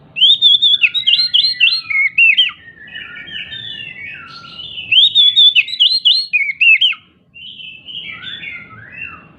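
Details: Agitated, jumping Oriental magpie-robin singing as bait to make silent magpie-robins answer: two long, rich bursts of rapid varied whistles, trills and chattering notes, each about three seconds, separated by softer warbling.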